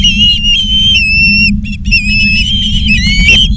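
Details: Charlo, Montana ospreys on a live nest camera, 19 August 2023, late afternoon: drawn-out clear whistles that hold level, then slide up and down, overlapping in places, with a constant low electrical hum beneath.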